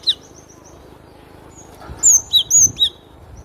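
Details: Cinereous tit song: a quick thin high note, then a bright burst of four clear whistled notes near the end, alternating high and slightly lower, crisp and sharp over faint background hiss.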